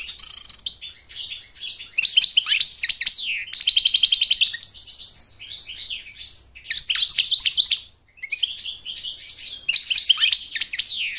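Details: American goldfinch singing to attract a mate and to teach chicks to sing: a long, fast, varied twittering of high chirps, trills and slurred notes in bursts, with a brief pause near the eighth second.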